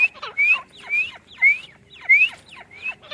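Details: A female grey francolin in a mango farm gives shrill, rising whistled notes with quick falling slurs, repeated about every half second in a steady, insistent run.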